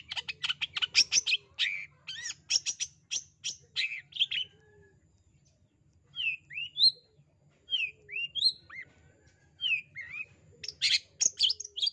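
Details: A long-tailed shrike gives bursts of scratchy, chattering notes mixed with sharp rising whistles, pausing briefly between phrases, over a faint low hum; used as a calling lure for shy or quiet shrikes.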